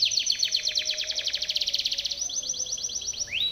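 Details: Powerful Timbrado canary training song: a long, rapid metallic trill of evenly spaced notes that changes pitch midway, ending with a single rising slurred whistle.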